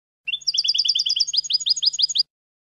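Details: European goldfinch song for teaching young goldfinches: a nonstop two-second run of bright, rapid twittering notes in pairs, shifting midway into rising, liquid chirps repeated about five times a second. A faint steady hum runs underneath.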